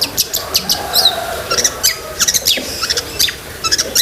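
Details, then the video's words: Long-tailed shrike singing, a recording meant for training pet birds: sharp, high chips and short whistled notes come in quick bursts with brief pauses between them over a faint background hiss. "BURUNG CENDET GACOR ISIAN SEKEBUN"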